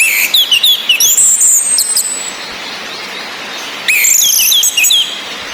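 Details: High whistled and chirping notes of a female orange-headed thrush, played to stir idle males into song and breeding condition; a burst of rapid notes, a quiet gap, then another burst, with rain-like hiss throughout.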